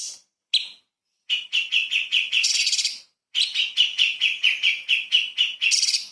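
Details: Light-vented bulbul singing in 'tembakan' style for training magpie-robins: short separate notes, then two runs of quick evenly spaced chirps, roughly two per second, with a harsh burst in between.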